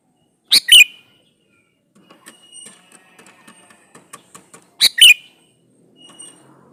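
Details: Male sooty-headed bulbul calling a female, intended as a lure for other bulbuls to answer; a loud, bubbly double-note phrase, soft ticking notes, then the same bright phrase repeated about four seconds later.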